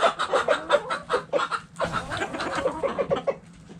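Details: Backyard hens in the chicken coop giving short, pulsed clucks in rapid succession, fading near the end.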